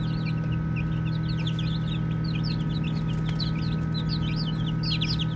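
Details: Baby chickens chirping while playing: a busy chorus of many short, high, sweeping peeps, several per second and overlapping, over a steady low mechanical hum.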